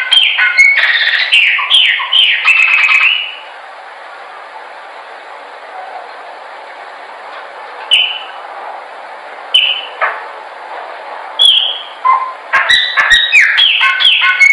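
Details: Training song of a Chopi blackbird: a fast run of ringing, downslurred whistles, then about four seconds of near silence, scattered single whistles, and another rapid burst at the end.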